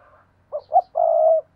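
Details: Decoy spotted dove calling, recorded 2022: two short rising coos followed by one long, steady, level coo, a single phrase in quiet surroundings with a faint low hum.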